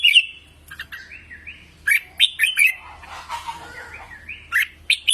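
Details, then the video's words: Red-whiskered bulbul song used for voice training: sharp whistled phrases with smooth up-slurred glides between them, and a brief rustling, scratchy noise in the middle. "Luyện Giọng Chào Mào Mới Nhất"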